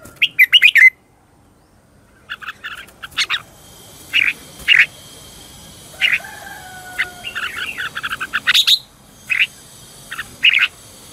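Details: Red-whiskered bulbul lure song for training and stirring competitive singing: scattered bursts of clipped chirps, some in quick triplets, separated by pauses, over a persistent high electronic hiss and a faint whistle.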